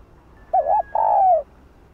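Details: Kept spotted dove calling: a warbled two-part opening note and a long steady coo easing downward, clear against faint hiss.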